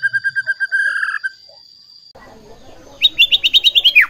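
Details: White-rumped shama singing to provoke rivals: a rapid run of repeated whistled notes and a short trill, a pause with low murmur, then a quick high series of chirped notes.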